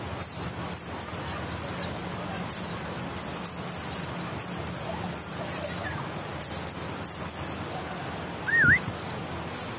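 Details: Bukstoni white-eye from West Java, grey-white breast with a yellow line, uttering short bursts of high, sharp chirps with gaps, and one brief lower wavering note near the end.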